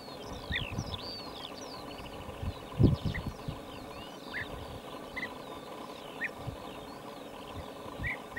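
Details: European bee-eaters (Merops apiaster) in Lubelskie Voivodeship, SE Poland, 20 May 2019, give soft, rolling chirps overlapping in quick bursts, high and faint over a steady low rumble of wind or distant traffic, with one dull knock.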